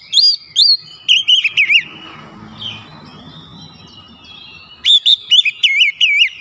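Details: Oriental magpie-robin lure song aimed at provoking other magpie-robins: looping whistles and a wavering trill, a quiet middle with low background noise, then another warbled run; a voice says thank you afterward.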